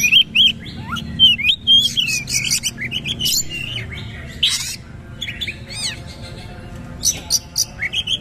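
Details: Oriental magpie-robin (kacer) in 'nembak' bowing-style song: quick clear whistled phrases mixed with harsh rasps and clicks, pausing briefly midway before rapid chattering notes resume.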